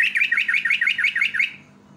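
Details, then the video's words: Yellow-vented bulbul in pancingan lure song, a fast, even string of about eight bright, bubbling whistled notes, each dipping in pitch, delivered in one and a half seconds before stopping, against a low background hum. "PANCINGAN BURUNG TRUCUK PALING YAHOOD"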